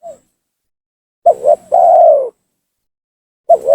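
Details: Spotted dove lure call used to bring rival doves down and provoke them: low cooing of two short notes followed by a long drawn-out coo, repeated after a silent gap, with a faint high whine.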